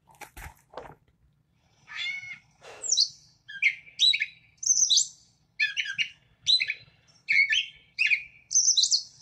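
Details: A Gray Catbird, a common bird in southern Wisconsin, sings a rambling run of varied squeaky, chattering phrases copying other birds, each different, about one every half second. Brief low rustles are heard at the start.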